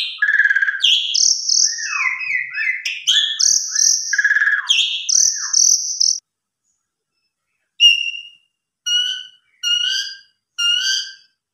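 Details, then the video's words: Javan pied starling song used as a lure for other starlings: about six seconds of mixed whistles, buzzy trills and drooping slurs, then a pause followed by four short, evenly spaced whistled notes. "Pancingan Suara Burung Jalak Suren MATERI Full Isian KOMPLIT Bisa Bikin Jalak Suren Lain Ikut Gacor"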